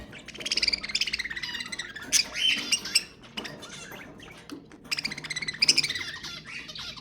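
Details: Rattling budgerigar warble to trigger breeding: buzzy rolling trills, a burst of sharp squawks around the middle, then more rapid nasal chatter from several birds.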